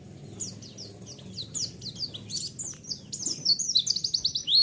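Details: Bright, high twittering of a white-eye, played as a lure to stir a response. It starts soft and quickens into dense runs of sharp chirps, ending in a loud clear note.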